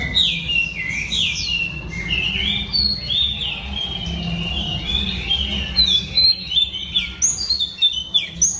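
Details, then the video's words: Vigorous song of a female Oriental Magpie Robin, sung to provoke males: dense, rapid warbled whistles and chirps in varied phrases, with sharper, louder high notes toward the end over a soft low hum. "Than mái hót kích trống Oriental Magpie Robin Female"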